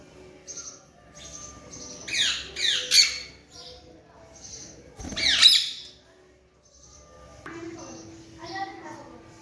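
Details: Alexandrine parakeet chick being taught to talk, indoors as a pet, makes a run of harsh falling squawks, two close together then a louder one, followed by softer chatter and a brief low tone.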